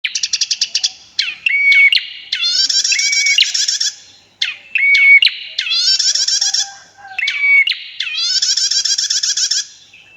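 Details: A female prinia sings loud, high, rapid trills broken by short steady whistles and stuttering ticks, repeating in bursts roughly every three seconds; nothing else is heard.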